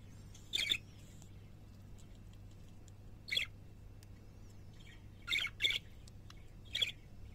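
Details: Parakeets at home utter isolated raspy chirps with long pauses between, including a quick double note, over a faint steady background hum.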